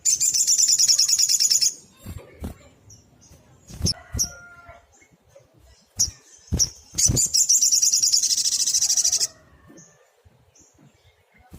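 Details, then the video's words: Persistently singing sunbird, a tutor recording for small birds: two long, fast, high-pitched rattling trills of about two seconds each, separated by scattered sharp clicks and knocks. "Tembakan SOGOK ONTONG GACOR bagus untuk masteran"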